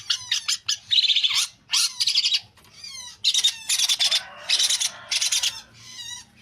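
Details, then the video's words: Long-tailed shrike (cendet) in a busy, varied outpouring of scratchy chatter, short rising whistles and rapid clicking bursts, delivered in quick clusters with short pauses over six seconds; low hum in the background. "Burung Cendet Pastol"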